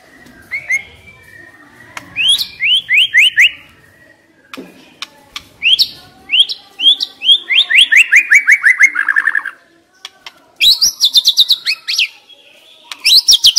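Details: Decoy white-rumped shama in long, energetic song: rapid runs of descending slurred whistles, a cascading trill that drops in pitch, then further quick bright sequences after short pauses.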